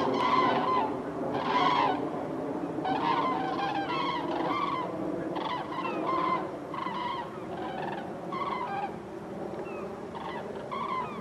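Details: A flock of over 100 common cranes flying over Køge Harbour, Denmark, trumpets in a loud, rolling chorus: many overlapping bugled notes in bursts roughly every second or two over a low background rumble.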